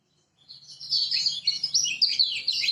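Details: Lemon-bellied white-eye from Lombok, intended to make silent birds sing: a rapid, buzzy, high twittering song that starts softly and swells into a dense, loud stream of chattering notes.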